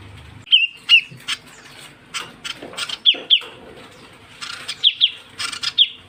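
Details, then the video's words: Lure call of the ciu kunyit bird: sparse, sharp, high downslurred chirps, single or paired, between clicking and rustling bursts. "suara pikat burung ciu kunyit"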